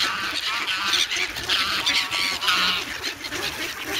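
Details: Grown geese, former goslings, noisy and hungry in the snow at Sloterpark, Amsterdam, on 3 February, crowding for bread; harsh honks with stacked overtones pile up over a hissing, busy background.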